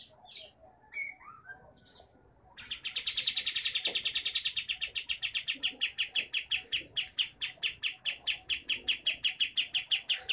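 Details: Sooty-headed bulbul from Pangkalan Jambu, Merangin, Jambi, Sumatra, giving a dense rolling song. After some scattered chirps, a long run of rapid, sharp, high clicking notes repeats steadily and without pause to the end.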